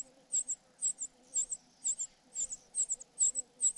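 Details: Cuckoo chick begging while foster parents feed it: thin, very high-pitched calls, often in quick pairs, about two per second, over a faint steady hum.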